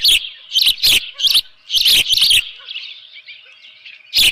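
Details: Osprey at its nest with a live fish, 24 June 2018, 7:32 in the morning; short bursts of high, sharp chirps, several in quick succession, broken by loud crackling thumps.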